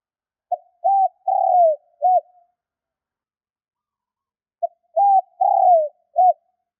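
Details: Spotted dove call meant to stir newly caught doves: two identical four-part coo phrases about four seconds apart, each a brief note, an arched coo, a long falling coo and a clipped ending. Silence between.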